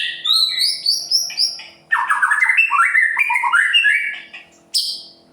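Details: White-rumped shama song for provoking other birds: high repeated whistles, then a rapid stream of rich, descending and rising warbled phrases and a final sharp high burst.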